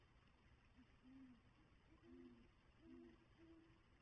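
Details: Great horned owl pair at a nest with two eggs: the male calls the female to come share his meal and she replies. Soft, low hoots, about five, with two voices at different pitches overlapping, over a steady faint hum.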